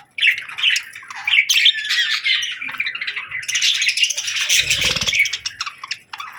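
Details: Parakeet chatter: a steady, scratchy warble of high chirps and squawky notes, growing busier and louder midway, with a brief low rumble near the end.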